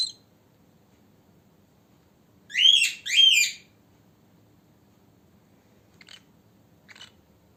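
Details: Pet cockatiel calls used to make a cockatiel happy and sing: a pair of loud, arching, harsh whistled screeches in quick succession mid-clip, followed by two faint clicky ticks, otherwise near silence.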